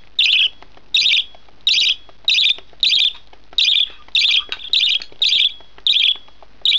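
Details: One-month-old budgerigar chick at feeding time, begging with harsh raspy squawks repeated roughly every half second to second in steady bursts.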